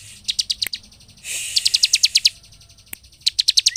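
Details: Bar-winged prinia song meant to stir other birds into singing; short rhythmic runs of high chirps, with a hissy rushing burst near the start of the middle run and a fresh series at the end.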